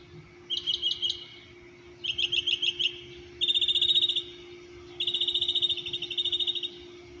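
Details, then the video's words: Early-morning birdsong at 6:30 am around an Orlando, Florida apartment complex: four high phrases of rapid chirps and fast trills, some notes stuttered, others run into buzzy rattles, over a constant low mechanical hum. "singing birds"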